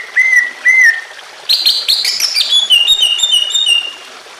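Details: Emotional greater green leafbird song against a water background, used to get other leafbirds singing: two clear slurred whistles, then a loud tumbling rush of mixed whistles and chatter fading into a warbling run.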